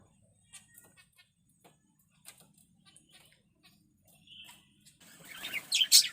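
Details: Zebra finches in a small aviary, busy carrying nesting material, give quiet clicks and rustles, then loud, nasal, honking notes near the end.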